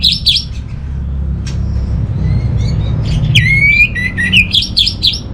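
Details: Orange-headed thrush song meant to coax non-singing birds at home into song: brief chattering notes, then a sliding clear whistle and a rapid series of bright, repeated high phrases over a low hum.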